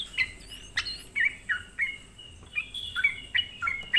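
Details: Sooty-headed bulbul singing as a lure to provoke other bulbuls; softer spaced chirps dipping in pitch, mixed with a few thin rising whistles and a faint insect-like hiss.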